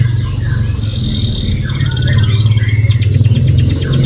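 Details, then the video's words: Canary song played as a lure to coax a reluctant canary into singing: fast trills, buzzy rattles and rising whistled notes, with a loud low steady hum underneath throughout. "#pancingankenarimalasbunyi #pancingankenari"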